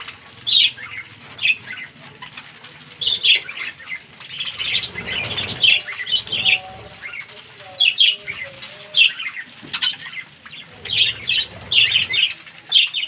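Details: Pet budgerigars of different colours chatter with quick, high chirps and squeaky notes in steady bursts.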